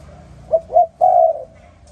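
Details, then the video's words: A single morning phrase from a spotted dove: two quick short coos, then one longer, soft, hollow croo fading out. "Sound Spotted Dove ln The Morning So Beautiful"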